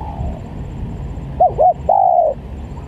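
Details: Spotted dove call played as a lure and for song training: two short arched coos followed by a long, level, slightly falling coo, over a low steady rumble.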